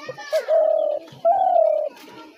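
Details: Spotted dove calling, a sound used as a lure for trapping doves: a brief low note, then two drawn-out even coos, the second beginning a touch higher and lasting about half a second, with faint voices at the start.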